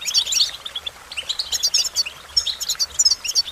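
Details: Twittering American goldfinch song, a fast jumble of high chips and thin rising and falling slurs packed into short, busy phrases with little pause.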